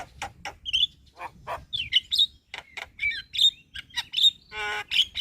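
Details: Javan myna in full song, recorded as a master for teaching other birds: harsh clicks and rasps mixed with clear whistled slurs and a buzzy trill near the end.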